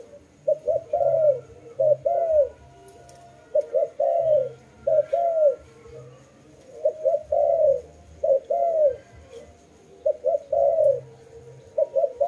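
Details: Repeated dove coos, each phrase a pair of quick low notes followed by a drawn-out descending coo, coming steadily through the recording with short gaps between.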